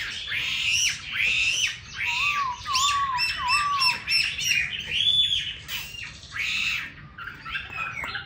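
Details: Chinese hwamei kept as a cage bird in Hanoi, Vietnam, delivering a dense, varied song of loud slurred whistles and harsh chattering notes, with a brief low wavering whistle in the middle.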